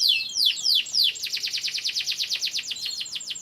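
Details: Canary, described as a descendant of wild Canary Islands birds kept in Indonesia, singing: a few loud descending whistled sweeps, then a fast, even rattling trill of repeated buzzy high notes about three per second.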